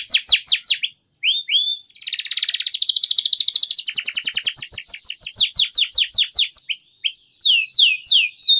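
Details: Canary pouring out long 'gacor panjang' song, used as a tutor for young canaries: quick falling whistles, a dense loud buzzy trill, then a long run of rhythmic chips and sweeps about three per second.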